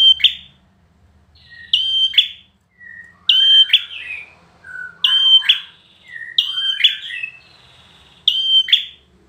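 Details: Bar-winged prinia kept for song contests delivering its long high whistle and buzzy tail repeatedly, interspersed with lower warbled and chattering notes that fill the pauses between phrases.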